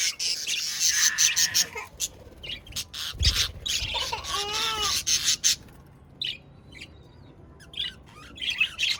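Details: Several budgies chirp and squawk in dense bursts: rapid scratchy high chatter, a couple of clear rising whistled notes near the middle, then quieter scattered chirps toward the end.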